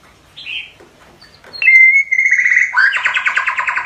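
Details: Young white-rumped shama practising its song: a few soft whistled notes, then a long steady clear whistle that breaks into a loud, rapid, rattling trill of repeated notes.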